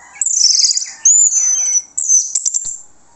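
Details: Lure song of an orange-headed thrush, meant to draw answers from other birds: a high, jumbled warble with lower rattling notes, a long thin sliding whistle, then quick sharp chips and twitters.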